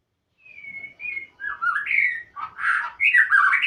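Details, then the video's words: Murai (magpie-robin) in full song: a thin steady whistle, then loud varied warbling phrases mixing clear whistles with rough squawky notes, growing stronger toward the end. "Burung murai gcor"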